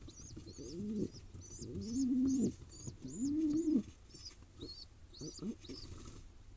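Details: Hungry wild pigeon nestling in Israel begging during feeding, with insistent high peeps repeated steadily throughout, layered over low, drawn-out warbling grunts in three long bouts.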